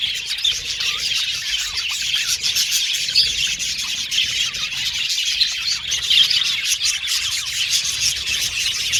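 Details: A colony of caged budgerigars sings and chirps in an aviary, a steady mass of overlapping high, scratchy chirps and warbles with a few sharper squeaks rising above the chorus.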